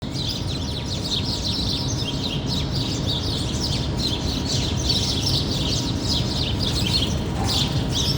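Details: Several birds chirping near a city, like a park among tall buildings: dense overlapping high twitters and short chirps throughout, over a constant low rumble of city noise and a faint steady hum.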